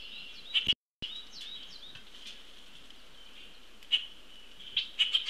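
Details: Harsh squawking bursts from a juvenile Common Grackle being fed by its parent, 22 June 2018. Scattered rasping notes, a short silent gap, then a cluster of calls near the end over a constant high hiss.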